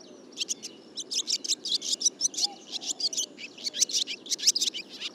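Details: Barn swallow singing: a fast, continuous high twittering of short chirps and trills, packed densely and varying in pitch, with a faint low hum underneath.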